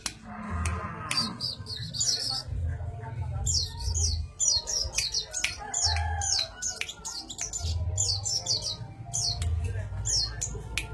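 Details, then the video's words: Sogok ontong bird in a rapid chattering song, bursts of high, steeply falling notes in quick clusters separated by short gaps, with some sharp clicks and a low background rumble. "burung sogok ontong ngerecel"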